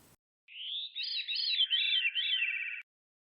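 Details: Male veery song, sung to claim territory and attract mates, replayed for study: a descending series of fluty, swirling, harmonized notes, two voices at once, spiraling downward over about two seconds in clean isolation.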